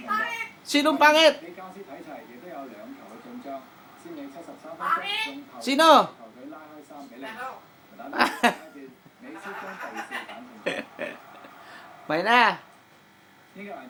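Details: A common myna mimics human words, said to be bad words, in short, voice-like bursts with raspy squawks in between, while people chuckle and laugh nearby.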